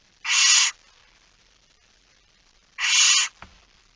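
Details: Barn owls in a nest box on the night of 13 September 2019; two breathy, noisy screeches about two and a half seconds apart, followed by a brief knock.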